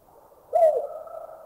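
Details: Single hoot of a Collared Scops Owl from Thailand: a brief, mellow note that rises a little and then falls, followed by a soft echoing tail that lingers for almost a second.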